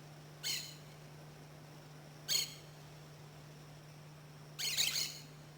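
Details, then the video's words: Orange-chinned Parakeet, noisy and common to abundant, at a Costa Rica site gives three harsh, scratchy high chatters about two seconds apart, the last longer and doubled, over a steady low hum. "The orange chin parakeet eats both fruit and seeds and as you can hear here is pretty noisy."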